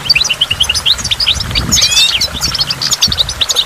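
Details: Goldfinch singing by falling water. A string of evenly spaced high chirps leads into tangled twitters and a short buzzy slur, with water noise throughout.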